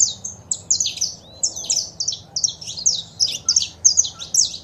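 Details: Saffron finch, kept as a pet, with female calls and male singing meant to stimulate a caged bird into song: dense run of high, rapid chirped notes repeated in quick bursts over a faint low hum.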